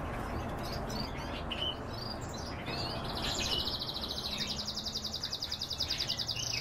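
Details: Several pet canaries singing: scattered short chirps, then a fast, even rolling trill of rapidly repeated high notes lasting several seconds, over a steady low background hum.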